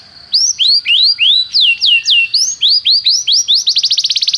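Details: Canary song for teaching canaries to sing: a series of bright, descending slurred whistles about four per second, speeding into a fast rattling trill at the end.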